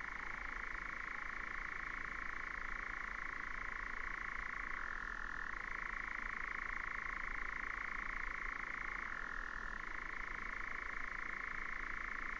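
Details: A European nightjar reels on and on in 2019, its rapid purring trill shifting down in pitch twice for about a second each time, with a faint low hum behind.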